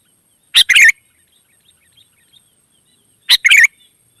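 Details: Wild sooty-headed bulbul answering: two short bursts of bubbly chirped notes, about three seconds apart, with faint distant whistles between them.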